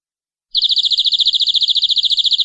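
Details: Canary tutor recording for training young birds: a loud, very rapid, pure-toned high trill, almost a continuous whistle with tight pulsing, held for two seconds, with faint low background rumble.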